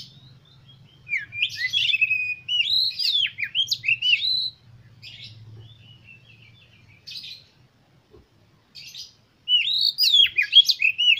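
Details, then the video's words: A lively oriental magpie-robin pours out bursts of varied, slurred whistles and chattering notes, with a quieter gap midway before another energetic run. It serves as a lure to get pet birds singing. "100% KACER KALIAN MAKIN NAPSU UNTUK BERKICAU DAN CEPAT GACOR BUKA EKOR"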